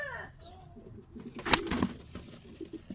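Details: A black Qatayef tumbler pigeon gives low, soft, rumbling coos in quick uneven pulses, mixed with sharp clicks and rustles in a small room, with a brief higher whistle at the start.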